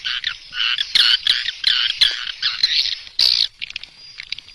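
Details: Swiftlet calls from a compact sound prepared for Indonesian swiftlet farmers: harsh, buzzy chattering phrases in quick bursts, with a brief pause and thinner twitters at the close.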